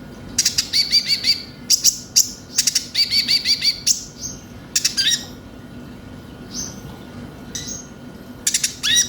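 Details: Konin lure song from Van Hasselt's sunbird: rapid looping high notes and sharp chip bursts crowd the first four seconds, then sparse single chips and short upswept notes over a quiet background.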